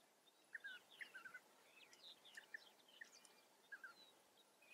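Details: European Bee-eaters recorded in the wild in the Eifel, Germany. Short, rolling mid-pitched notes, often paired, repeat irregularly through the clip. Fainter higher chirps from other birds sound in the background.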